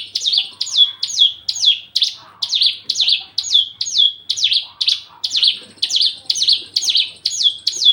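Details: Javan bush lark in breeding condition and eager to mate repeats a high, sharply dropping whistled note followed by a short buzz, about twice per second, steady and loud throughout.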